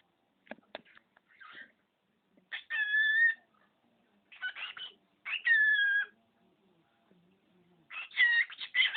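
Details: Pet male budgerigar mimicking household words and phrases and a human sneeze: scratchy, voice-like bursts with bright, ringing tones, in four separate phrases of about half a second to a second each, with short clicks and quiet gaps between.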